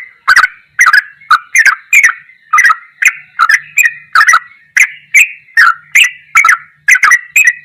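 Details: Goklikan-style ropelan song from a sooty-headed bulbul, recorded as tutor material: steady string of short, throaty, bubbling phrases repeated about twice a second for several seconds.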